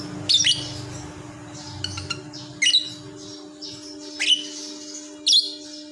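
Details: Lovebird vocalizing while sleeping: sparse sharp high chirps and squeaks roughly every second, over a steady low hum.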